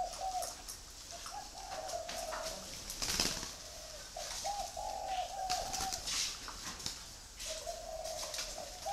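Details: Free-range breeding spotted doves on a farm in Ba Vì, Hanoi, Vietnam, giving repeated mellow coos in short phrases of several hollow notes, with brief gaps between, amid light background rustle and clicks.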